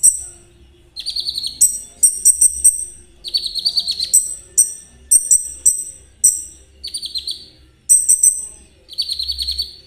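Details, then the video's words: Konin in nonstop, vigorous song as a lure for kolibri ninja: very high, metallic, buzzy trills and rattling chatters repeat in quick succession with only short breaks between them. "Terapi KONIN agar ikut gacor !! Cocok buat pancingan kolibri ninja. suara konin Trotol."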